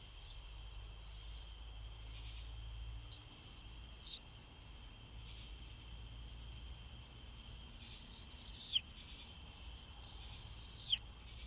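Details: Caspian tern calling in flight: four drawn-out, high, strained notes, each about a second long with a sharp downward drop at the end, spaced a few seconds apart over a steady buzzing insect chorus.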